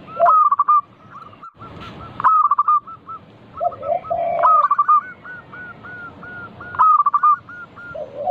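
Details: Actively singing local zebra doves, used to coax other doves into song: repeated phrases that open with a fast trilled coo and trail into a string of separate clipped coos, overlapping lower gurgling coos, phrases about every two to four seconds.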